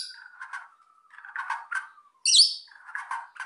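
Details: White-rumped shama, used to provoke quiet birds into singing: soft warbled phrases and rich low notes, interrupted by one sudden loud, high, sharp burst near the end, then more low fluttering notes.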